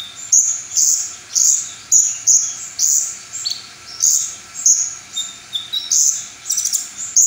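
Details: Brown-throated sunbird singing its full repertoire of song material, said to excite other sunbirds into singing. High, thin, slurred whistles come in short bursts about every half second, some with sharp rising sweeps, over a faint steady hiss.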